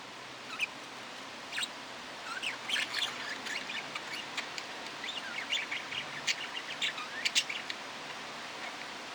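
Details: Budgerigar chattering in scattered bursts of short chirps, squeaks and warbled notes, sparse at first and busier later, over a constant low hiss.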